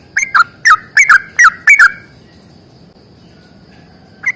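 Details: Bulbul of the sooty-headed kind giving fighting 'ropel panjang' song: six or seven short, gurgling, down-slurred notes in quick pairs, followed by a long quiet stretch and a single closing note.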